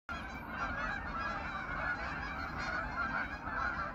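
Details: Hundreds of geese gathered on a pond on an autumn evening, a flock of 500 to 800 wintering birds, keep up a dense, continuous chorus of overlapping nasal honks with a low background rumble.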